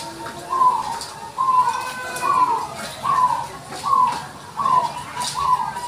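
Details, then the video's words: Zebra dove of the white-barred 'putih lurik' variety singing vigorously: short rolling coos near one pitch, repeated about every 0.8 seconds in a steady series, with faint background noise. "putih lurik gacor"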